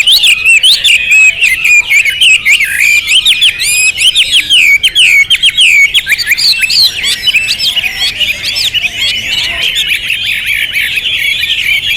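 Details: Hwamei delivering powerful, sustained song, a nonstop cascade of clear whistled notes with rapid upward and downward sweeps and fast trills over twelve seconds.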